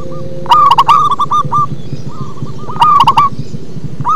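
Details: Bass-toned song of a local zebra dove, with loud stuttering coo phrases around two seconds apart, softer echoing coos in between, and a low mechanical rumble underneath.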